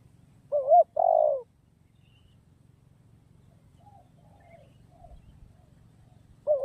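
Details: A spotted dove delivers a two-part coo: a short quavering note, then a drawn-out, smoothly falling one. A second phrase begins at the very end. Faint distant chirps are heard in between.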